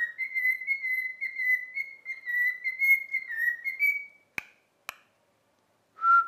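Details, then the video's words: Pet cockatiel whistling a tune learned over a week of training, "If You're Happy and You Know It": a loud, steady run of pulsed level whistles, two abrupt clicks, then a short fresh note. "COCKATIEL SINGING IF YOU ARE HAPPY AND YOU KNOW IT WHISTLE"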